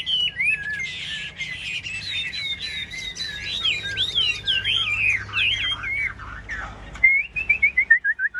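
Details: Contest singing from a captive Chinese hwamei: a rapid stream of varied, looping whistled phrases, then after a short pause a descending series of about ten clear, evenly spaced notes closing the phrase.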